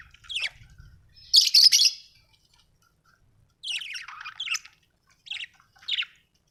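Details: Budgerigar, described as happy, chirping and singing: a brief high note, a loud rasping burst, a quiet gap, then scratchy warbled phrases and two short chirps.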